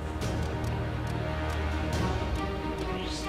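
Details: Music with a steady low beat and brief clicks, and no animal voice anywhere.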